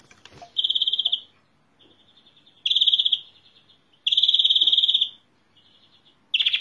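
European greenfinch song: loud, rapid rolling trills under a second long, repeated every couple of seconds, with softer, quieter trills between them.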